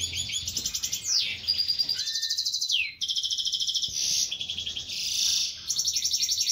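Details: Goldfinch song from a Major-type bird bred as Brown Whitehead split Isabellpastell x Isabellpastell: loud chattering trills, rapid buzzy rattles and descending whistled slurs run together almost without break.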